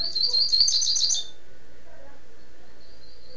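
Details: Rusty-collared seedeater (coleiro) singing, recorded in Niterói, Rio de Janeiro: a rapid run of high, sweet warbled notes lasting just over a second, then quiet background.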